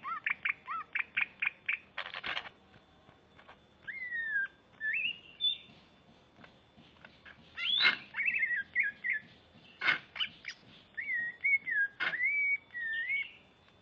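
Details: Greater green leafbird (Chloropsis sonnerati) from Banyuwangi singing aggressively with crest raised, ready to fight: fast, varied phrases of quick chip runs, rising and falling slurred whistles and harsh bursts.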